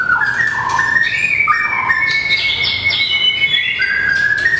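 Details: White-rumped shama (murai batu), a small long-tailed bird, singing in competition style while flicking its tail and running along its perch: clear whistled phrases, sliding and stepping between notes, some rising to higher warbles near the end.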